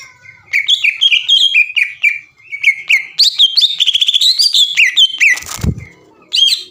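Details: Long chattering greater green leafbird song likened to a sewing machine, played to provoke other birds: varied whistled notes climbing and falling, dense rapid trills, and a brief thump near the end.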